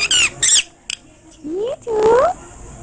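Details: Hindi-speaking parrot in India: two shrill, high syllables, a short click, then two drawn-out rising tonal phrases like spoken words.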